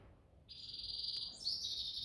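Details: Grey-headed goldfinch singing in the evening: after half a second of quiet, a clear, high, sustained whistled note begins, then steps up to an even higher whistled tone, against faint low background noise.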